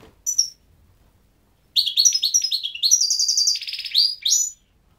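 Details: Goldfinch with a lone sharp chirp, then a sustained, lively twitter of sliding notes, fast trills and a wheezy buzzy section, ending in quick upward chirps.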